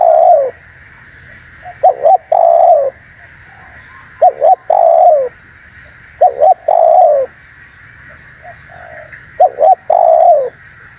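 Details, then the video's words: Spotted dove cooing, used to lure wild doves: short double notes followed by a longer, lower falling coo, the phrase repeated about every four seconds over a steady background hum. "SUARA BURUNG TEKUKUR UNTUK PIKAT DAN PANCINGAN"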